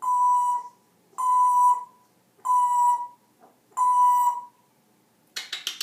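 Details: African grey parrot, a pet, making funny noises: four loud whistled beeps with a steady pitch, each lasting about half a second and spaced about a second apart, followed by a brief harsh rattling burst.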